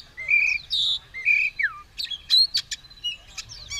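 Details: Oriental magpie-robin, fired up and ready to fight with tail spread, gives clear whistled notes, one sliding downward, then a quick burst of sharp clicks and chips.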